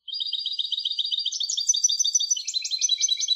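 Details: European goldfinch hybrid singing a fast series of high, chirpy notes in steady rapid rhythm, shifting midway into a brighter, more varied twittering phrase; clean recording with no other sounds.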